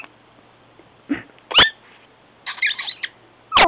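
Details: Pet cockatiel makes sharp, clicking pops at its owner's foot while "kissing" it, with a brief chattering burst, separated by short quiet gaps.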